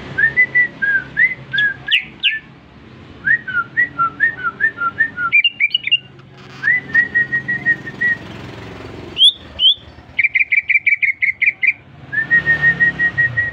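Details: Newly bought caged greater green leafbird singing at length after being whistled at: varied whistled phrases of slurred and repeated notes, sharp rising strokes, a fast buzzy trill, then a steady run of pulsed whistles.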